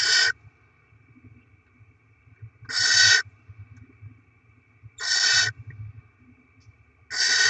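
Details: Barn owl nest with rodent deliveries to the young, 7 February 2024. Four sharp, noisy screeches arrive about every two to two and a half seconds, separated by near silence apart from a low rumble.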